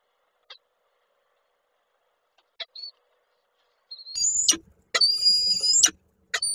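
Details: Male peregrine falcon with a prey gift at a nest in Koszalin, Poland, 8 March 2023. The female refuses it and leaves. A few scattered clicks, then repeated loud, high, harsh wailing calls, each lasting up to a second.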